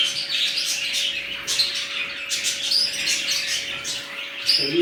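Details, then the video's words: Budgerigars in a newly set up colony, with red-eyed birds among them, keep up dense high chirping and warbling chatter with a few sharper whistled notes over a steady low electrical hum. "Budgies Parrots New colony"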